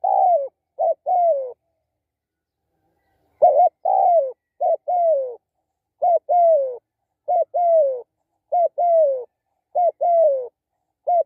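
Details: Spotted dove used for decoy luring of wild doves, at the sixth catch: short husky coos in pairs, a clipped note then a longer falling coo, phrases repeated with pauses, no other sounds.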